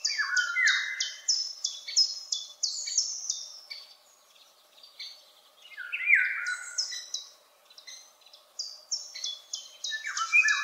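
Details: Eurasian golden oriole singing high and distant: two rich fluted, downward-sliding phrases, overlaid by rapid, evenly repeated high chipping notes from another bird.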